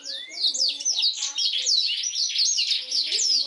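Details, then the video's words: Black-throated canary singing a master recording for canary training: quick repeated downslurred whistles and chattering high trills, steady and unbroken throughout. "BLACKTHROAT GACOR SUARA JERNIH UNTUK MASTERAN KENARI"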